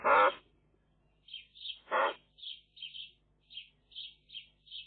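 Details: Eurasian magpie chicks in a nest watched by a nest camera: two loud, harsh, broadband squawks, then a run of short, high, hoarse notes repeated roughly every half second.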